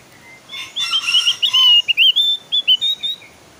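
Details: Javan white-eye singing: a fast run of high, bright twittering notes with sliding whistled slurs, delivered in short bursts about two per second, loud and clear over a quiet background.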